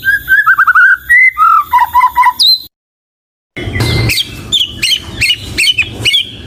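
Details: White-rumped shama song: a fluttering series of whistled notes, then a brief silence, followed by sharper high chirps over a louder noisy background.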